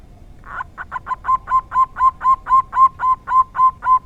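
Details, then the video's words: Rare "dor tak kowor kowor" song of a local zebra dove: brisk short notes open the phrase, then a long, regular chain of mellow coos at an even pace over faint background hiss. "Perkutut lokal dor tak kowor kowor suara langka sangat jarang bisa ditemukan"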